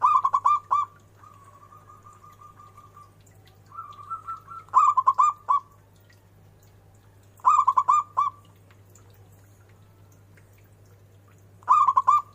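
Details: Zebra dove repeating its song: loud clusters of rapid staccato coos return every three to four seconds, separated by softer rippling trills, with a constant low hum in the background.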